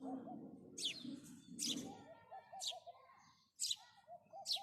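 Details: House sparrow giving loud, harsh chirps in short bursts about once a second, over a low murmur like distant voices, with a soft dove-like cooing series in the background.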